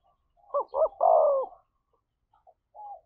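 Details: One fight-provoking coo of a spotted dove used as a decoy: two short rising-falling notes, then a long broad coo, followed by a few faint soft notes.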